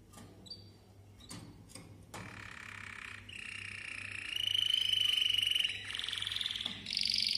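A Malta canary sings long, sustained high rolling trills that brighten and shift pitch, after a few opening chips and clicks; a faint low hum runs underneath.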